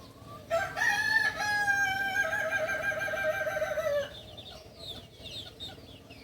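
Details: A Kukuak Balenggek cock, a native chicken of Solok in West Sumatra, gives one long drawn-out crow of about three and a half seconds that falls slightly at the end. Small birds chirp faintly afterwards.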